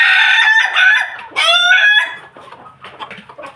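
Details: Ayam Ketawa chicken kept with a family of Pelung Bangkok chickens, giving a loud harmonic crow in two bursts over two seconds, then trailing soft clucks and faint low hum.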